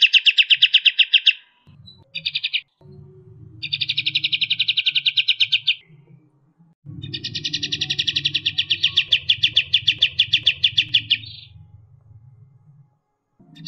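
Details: Kapas tembak, striated grassbird, in its fast, tight 'tembakan' song: several separate rapid trills of high, buzzy notes, each lasting a few seconds with quiet gaps between, and a low rumble beneath.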